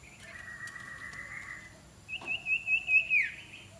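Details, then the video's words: Iora in decoy training gives a long, even, buzzy hum, then a quick pulsed trill ending in a sharp downward slur, with a brief click between. "นกขมิ้นน้อย ฝึกหัดหัยเปนนกต่อสายโหด สายดุ"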